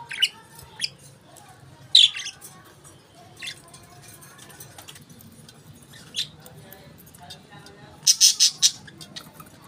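Budgerigars give scattered scratchy, high-pitched chirps and squawks, with a quiet room hum underneath.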